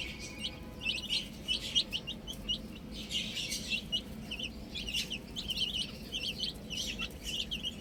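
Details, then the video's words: Outdoor baby chicks giving a busy chorus of thin, high peeps, short notes overlapping in bursts, the densest stretch midway, with a steady low background hum. "Cute Baby Chicks Chirping Sounds"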